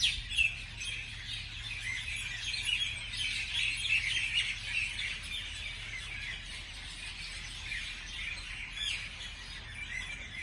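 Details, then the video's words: Several birds chirping on a morning, a rapid jumble of high tweets that swells in the middle and then thins out, with a low hum underneath. "美丽的早上美丽的鸟的鸣叫beautiful morning beautiful birds chirping sounds calls"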